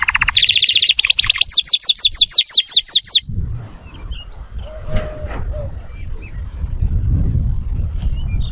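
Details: Atlantic canary singing, the song used to teach young birds and stimulate males to sing: a fast series of bright rising whistled notes repeated about three per second, then quiet with faint chirps and low background rumble.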